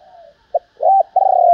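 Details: Female spotted dove calling to stimulate males: the tail of a level coo, a single short note, then a rising arched coo running into a long steady coo.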